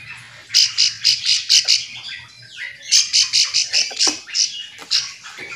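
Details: Bar-winged prinia giving its summoning call, used to provoke other prinias into answering: two loud bursts of rapid, harsh high buzzy notes, about six to eight per burst, separated by a short pause.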